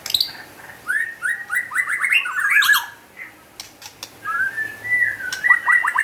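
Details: White-rumped shama singing vigorously: runs of short upslurred whistled notes, a pause with a few clicks, then a longer whistle and more quick descending notes over a low background hiss.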